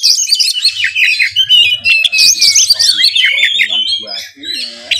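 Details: Fast, busy song from a caged Oriental magpie-robin, loaded with imitated phrases: overlapping high chirps, a long gliding whistle, and scratchy lower notes toward the end.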